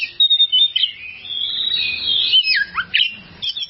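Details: Oriental magpie-robin tutor song meant for training cage birds: a sustained, wavering whistled phrase followed by a steep downward slur and a few quick chirps.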